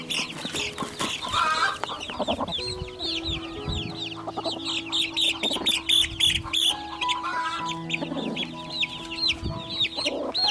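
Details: Small chicks in nature giving dense, rapid, high peeping chirps, many overlapping down-slurred notes throughout, with steady low sustained musical tones underneath.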